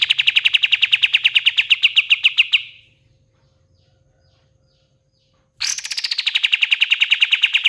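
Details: Pied triller singing: a fast run of sharp, evenly spaced notes slowly falling in pitch, about fifteen per second, then near three seconds of silence before a second trill begins high and slides down.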